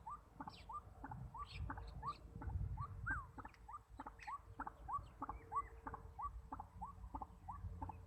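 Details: White-breasted waterhen used as a decoy bird for trapping: a rapid series of short, upward-slurred notes, about three to four each second, with occasional higher overtones, over a steady low rumble and faint background hum.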